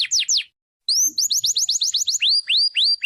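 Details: Canary song of clear, high whistled notes: a few falling sweeps, a short pause, then a quick series of rising chirps slowing into longer upward-curving whistles.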